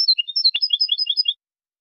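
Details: European goldfinch, 2023 tutoring recording: fast tinkling twitter of varied high notes, some slurred downward, with a brief click midway, running without a break for over a second, then silence.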